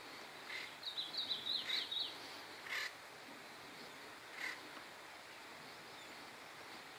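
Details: Acorn woodpecker in Madera Canyon, Arizona: a quick run of harsh, nasal chattering notes, then a few scattered single squawks, over faint background hiss.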